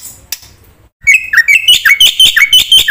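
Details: After a quiet start, this Black-winged myna launches into loud, clear whistled notes, short downslurred phrases repeated quickly and evenly, from a full-content song meant as a training lure.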